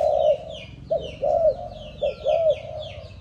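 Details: Seven-month-old young spotted dove of Malaysian stock cooing: short hollow notes grouped in pairs, roughly one phrase per second, over a background of high chirping from other small birds.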